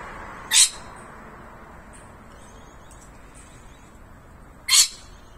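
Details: Rainbow lorikeet at camellia blossoms, hiding in a bush and then bobbing up and down on a branch; two short, harsh, rasping shrieks about four seconds apart over a low steady background hum.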